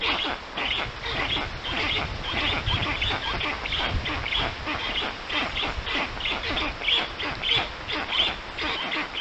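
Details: Black storks at the nest in Puszcza Notecka forest, Poland, 14:23 on 13 June 2019, a strange adult visiting the young; a dense chorus of harsh, quacking-like calls repeats rapidly and fairly evenly, with a light background hiss.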